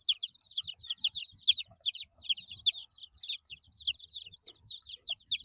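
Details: A group of baby chickens eight days old keeps up loud, rapid, downslurred cheeping in overlapping bursts, joined by faint low bumps and scuffles underneath.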